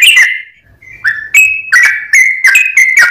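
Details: Sooty-headed bulbul lure song: a falling whistled note, a short gap, then a brisk series of clear whistled notes at steady pitch.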